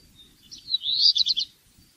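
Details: Black redstart delivering one brief song phrase: a thin high warble leading into a scratchy burst of rapid pulsed notes lasting under a second, with quiet low background noise.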